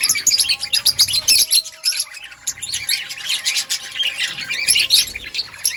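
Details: Outdoor budgie colony with a dense wash of high chirps and squawks from many birds, briefly thinning in the middle before the chatter swells again.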